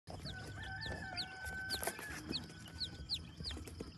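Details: Silver Laced Polish chick on a small farm in Vermont, US, giving high, short downward-sliding peeps at irregular intervals, with steady tonal humming lines and low background rumble throughout.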